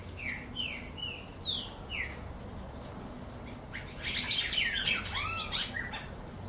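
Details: Wild birds singing: a series of short descending whistled notes repeated several times, then a brighter burst of varied twittering, over steady low background noise.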